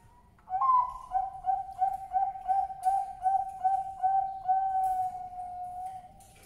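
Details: A male zebra dove (Bangkok perkutut) calls to attract a female: a short higher opening note, then a quick run of soft staccato coos, two or three a second, ending in a long purring trill.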